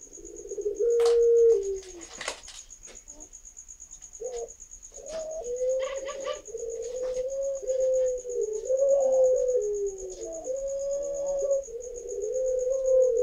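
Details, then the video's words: Young Barbary dove, over five months old, learning to call: low, wavering coos drawn out and rising and falling, with a steady high electronic tone and a few clicks in the background. "PUTER PELUNG 2 : ROMBONGAN DERE LG BELAJAR BUNYI"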